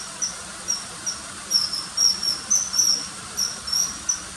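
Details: Common kingfisher giving short, thin, high-pitched whistled notes, single or in quick pairs, about two per second with uneven spacing, over a steady faint hiss.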